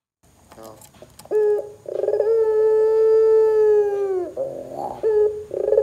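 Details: Barbary dove calling loudly, meant to set other doves calling: scattered soft notes lead into a sustained, even, low hum of about two seconds that drops at its close, then short rising notes; faint steady hiss behind.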